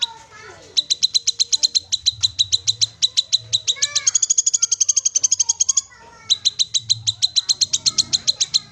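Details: Untrained Black-capped babbler giving long bursts of rapid, high, metallic chirps. Mid-way it quickens into a denser, higher trill. It pauses briefly, then resumes the steady chirping. Faint softer sounds come before the first burst.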